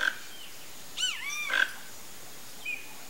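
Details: A vocalizing flock of toco toucans: short rasping croaks at the start and near the middle, between swooping whistled calls of other birds, with a soft outdoor hiss throughout.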